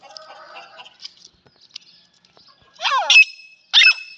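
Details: A female grey francolin, a kept bird, gives two loud, harsh bursts of call with shrill ringing notes, about a second apart, after softer chirps and a faint murmur.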